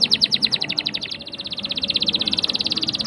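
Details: Canary song with a long roll, used to coax young canaries to sing. Quick chips flow into a continuous rapid, evenly pulsed high trill lasting about two seconds, with low background noise.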